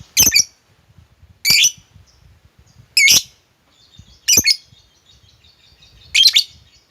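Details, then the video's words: Lovebird, played to stir a quiet bird to sing, gives harsh shrill screeches spaced about every one and a half seconds, with soft high twitter between and faint low rustling. "lovebirdmu loyo malas bunyi jadi gacor ngekek panjang seketika dengan pancingan ini"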